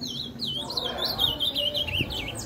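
An ultramarine grosbeak sings a steady run of sweet, high whistled notes, sliding up and down in quick warbling loops, with faint low background noise.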